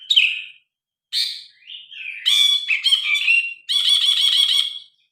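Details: Grey-cheeked bulbul, phone recording, singing a loud, varied song: short slurred notes, a downward whistled slur, then harsh chattering phrases ending in a sustained buzzy rattling trill.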